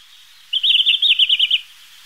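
A red-flanked bluetail gives one quick, high phrase of about nine clear, wavering notes lasting a second, falling slightly at the end, against a quiet background.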